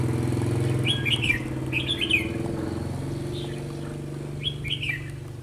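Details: Decoy red-whiskered bulbul in a trapping setup on a sunny, windy day in Vietnam sings short chirpy warbled phrases in three bursts, against a constant low mechanical hum.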